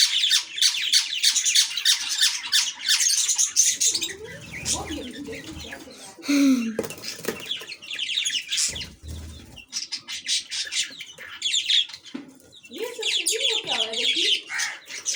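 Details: Lovebird squabbling with a chick: bursts of shrill high chatter alternate with quieter stretches of lower wavering squeals and rustling, chatter returning strongly toward the end.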